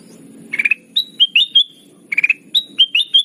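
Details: Sooty-headed bulbul lure call used to attract birds for trapping: short bursts of three or four rapid chattering notes alternating with bright, slightly falling whistled notes, in two groups about a second and a half apart.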